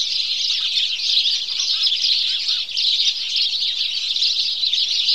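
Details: House sparrows in a morning chorus, many birds chirping at once so the sharp, high notes blur into a continuous shimmering chatter with a brief dip in volume near the middle.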